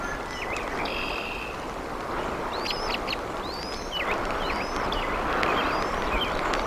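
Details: Wild bald eagle at its huge nest in Decorah, Iowa, recorded on 01.04.2024: a run of high, thin, squeaky chirps with rising and falling inflections, repeated rapidly, over a steady rushing background of wind or flowing water.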